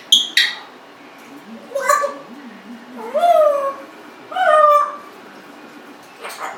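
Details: Pet Congo African grey parrot, 1.5 years old, indoors, making varied sounds: a sharp click, then several drawn-out nasal, rising-and-falling calls like a squeaky whine, with soft low murmurs between them.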